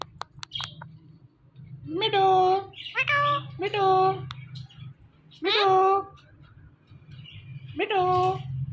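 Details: Pet Indian ringneck parrot repeating short speech-like phrases, four voiced bursts spaced a second or more apart over a low steady hum, with a few clicks at the start.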